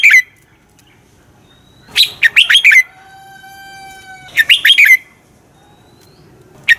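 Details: Fighting song of a red-whiskered bulbul used as a training lure: two rapid phrases of four or five warbled notes, with a steady electronic-sounding tone held between them.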